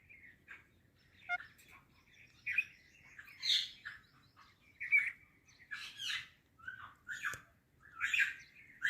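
An Indian parrot gives harsh, scratchy squawks and chattering bursts in an irregular run, about one every second, with a quiet indoor hum underneath.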